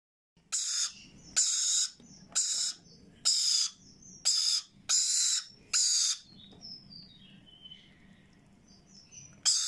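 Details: Hand-reared Sun conure and Yellow Ringneck parakeet chicks calling while being hand-fed: seven harsh, hissing screeches about a second apart, then a quieter stretch of faint squeaks before one last loud screech.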